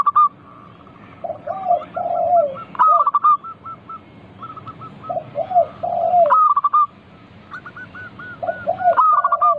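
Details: Zebra dove song, local bird, played as a lure to prompt other doves to answer: loud clipped note bursts followed by lower purring coos and a long string of quick repeated notes, cycle repeating about every three seconds.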